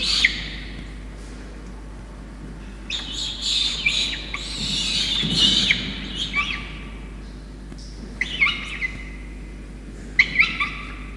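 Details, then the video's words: Begging from a peregrine falcon chick at Orange, New South Wales, Australia, 5 November 2021, as its wet parents feed it a soaked starling; bursts of rough, scratchy cries separated by quieter pauses, with thin high whistled notes. "Peregrine Falcons Orange, Soaked Starling by Soaked Parents for bottomless Yurruga"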